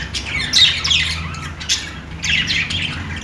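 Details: Budgerigars chattering in short bursts of scratchy chirps and squawks, pausing briefly between groups, with a faint low hum in the background.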